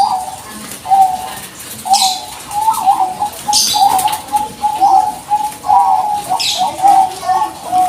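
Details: Bangkok zebra dove calling to provoke an answer from other doves; a long, nearly unbroken series of soft, mellow coo notes with trilled, bubbling phrases, roughly one per second, interrupted by occasional rustling noise bursts.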